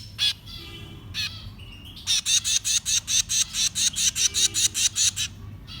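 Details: Young birds being fed: two isolated harsh squawks, then a loud, even series of buzzy begging calls about three per second lasting several seconds, with faint low background sound.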